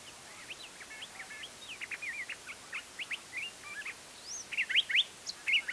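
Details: Spring song of a curve-billed thrasher in the Sandia foothills, Albuquerque, New Mexico, morning of March 31, 2010; steady run of brisk varied whistled and scratchy notes, growing louder and higher toward the end.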